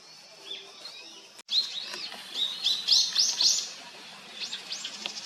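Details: Winter arrival of long-tailed rosefinches: after a sharp click, a quick series of high, bright rising chirps comes in clusters, louder in the middle, then softer, scattered notes.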